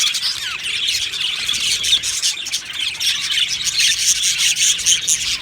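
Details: Budgerigars chattering together in an aviary colony: overlapping high chirps and warbles form a steady bright hubbub, with some harsher squawk-like notes mixed in throughout.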